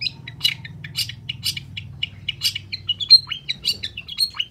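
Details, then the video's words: Cendet, the long-tailed shrike, in lively gacor song meant to provoke silent shrikes: rapid chattering, high scratchy notes that quicken into mixed whistled chips and downward slurs, continuing steadily. "PANCINGAN CENDET SUSAH BUNYI PASTI LANGSUNG NYAUT DAN IKUT GACOR DENGAR SUARA CENDET GACOR INI"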